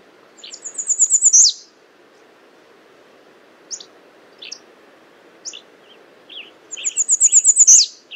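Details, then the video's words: Two high, thin phrases from an American redstart, each a rapid string of sibilant notes ending in an emphatic downward slur, with sparse short chips in the quiet gap between them. "American redstart Calling"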